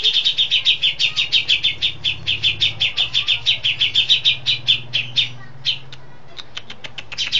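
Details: Cucak jenggot (grey-cheeked bulbul), settled and singing often, with long-shot song holding imitated besetan, lovebird, sparrow and cililin phrases: a long rapid run of clear high chirps, a pause, then a few scattered sharp notes.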